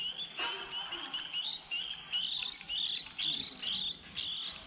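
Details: Young white-eyes early in the season of 2020, fledglings leaving the nest around April, recorded for use as a trapping lure: thin, high twittering notes overlap in a busy chatter, several bursts per second with short gaps.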